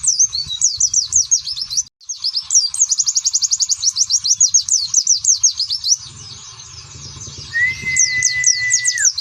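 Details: Oriental white-eye delivering ngeriwik song with nembak bursts: long streams of rapid, very high zigzag chirps broken by a brief pause, plus a steady mid-pitched whistle that drops at its end.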